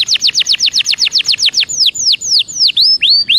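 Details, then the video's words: Belgian canary song: a loud, even series of steeply downslurred whistles, about four per second, then slower, wider sweeping notes with upturned ends. "CANTO DE CANARIO BELGA PARA ESQUENTA"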